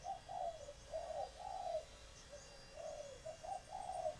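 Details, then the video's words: Captive laying female spotted dove whose calls arouse males to answer and court; a series of soft, rounded coos in spaced pairs and phrases over steady background hiss. "Tiếng Chim Cu Gáy Mái Chuẩn Kích Trống"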